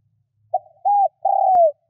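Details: Lure spotted dove cooing to attract wild doves: a faint lead note, an arched coo and a long falling coo, with a brief click.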